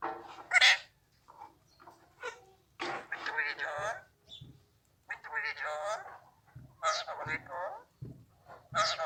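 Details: Untrained Alexandrine parakeet talking in Urdu, Hindi or Arabic: bursts of human-like speech syllables with clear pauses between phrases, recorded indoors in a quiet room.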